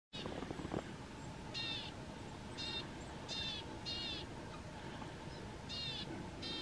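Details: Marsh or willow tit singing loudly near a feeder on 31 January 2022, giving a series of harsh, nasal, buzzy notes in short bursts, each under half a second, repeated about every second; steady background rustle and a low hum.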